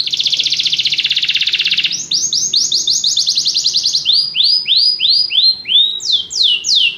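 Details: Canary singing a buzzy rapid roll for two seconds, then series of sweeping whistled notes, each series slower and lower before a final higher run.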